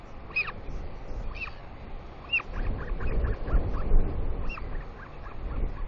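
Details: Royal albatross chick at a New Zealand nest, squealing excitedly in early morning as its mother flies in to feed it, 29 July 2020; high, harmonic squeals repeated about once a second over steady low wind rumble.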